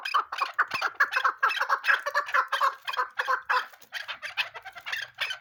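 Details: Female chukar partridge calling, linked to hunting; a rapid run of harsh, clucking chuk notes about two per second, gathering into a fast rattling chatter, with no other clear sounds.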